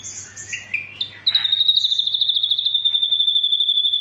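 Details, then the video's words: Ashy drongo song, full tembakan style: a few quick, high, varied whistled notes, then a long rapid trill of pulsed whistles on one high pitch lasting about three seconds. "SRIGUNTING ABU ABU FULL TEMBAKAN"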